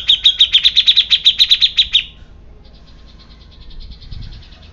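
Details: Agitated grey-cheeked bulbul producing a fast, even string of about fifteen sharp chips over two seconds, then falling quiet.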